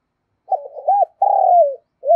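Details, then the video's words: Spotted dove decoy cooing to attract other doves: uneven broken opening notes, a drawn-out coo falling at the end, then a short final note cut off by the clip's end. "Chim Cu Mồi/ cu gáy thúc gù dùng kích bổi hiệu quả"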